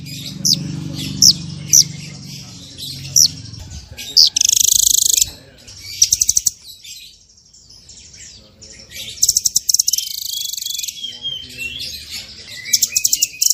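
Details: High chips and buzzy bursts from a small bird on a tembakan masteran track, with bursts separated by pauses and a near-silent stretch in the middle before dense, buzzy phrases resume.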